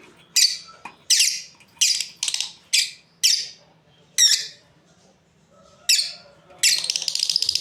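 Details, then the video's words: Breeding pair of lovebirds chirping: a run of harsh, shrill high squawking chirps roughly every half second, ending in a rapid buzzy burst; quiet background. "Beautiful lovebirds chirping sounds | Amazing breeding pair"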